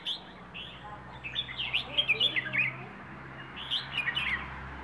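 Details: Wild bird from Rayong singing plai ho song. Scattered whistles build into a dense, quick string of rising and falling chirps, then fade into a few softer notes, with a low steady hum beneath.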